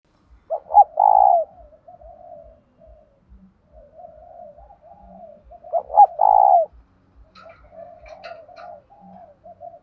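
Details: Male and female decoy spotted doves cooing to set off newly caught doves: two phrases of a double note and a long trilled coo, soft continuous cooing in between, regular ticking, and brief higher chirps near the end.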